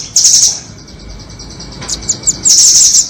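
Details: Used as a trapping lure, a nuthatch of the doraemon or red-billed type gives two loud, very high, rattling trills bracketing a quieter stretch of faint chips.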